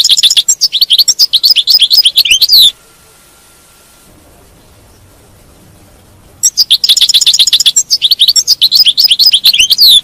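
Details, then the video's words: European goldfinch batbata twittering, intended to get a captive goldfinch singing continuously: two long bursts of rapid metallic chirps and trills, about four notes per second, with a silent stretch of almost four seconds between them. "تغريد الحسون، بتبته الحسون، لجعل حاسونك لا يتوقف عن التغريد"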